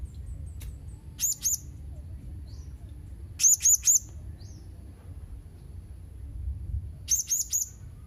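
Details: Blue-crowned hanging parrot giving shrill, high-pitched squeaks in short groups of two or three, spaced a couple of seconds apart over a faint low rumble.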